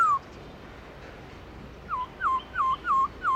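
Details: Black-throated laughingthrush, wild-voice style: after a single falling whistle and a pause, a fast run of five short clipped whistles dropping in pitch, repeated about three times a second.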